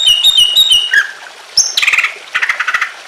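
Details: Greater green leafbird singing with emotion, used to set off other leafbirds, amid trickling water: a string of clear repeated whistles dropping in pitch, then a high squeak and harsher chattering bursts.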